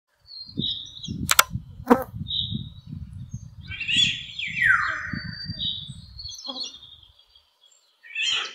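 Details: Eurasian golden oriole singing high up and far away: one rich fluted phrase sliding downward around the middle, with steady low rumbling noise for most of the clip and a few sharp clicks.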